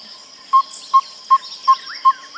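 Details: Yellow-rumped Tinkerbird giving a run of five pure, evenly spaced piping notes about 0.4 s apart. Other birds add rising, slurred chirps near the end over a steady high background hiss.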